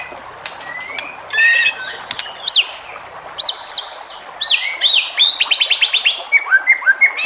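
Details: White-rumped shama song aimed at drawing other shamas to sing: mixed whistles and sharp upswept notes, then a fast rhythmic run of about a dozen repeated notes, ending in short rising whistles.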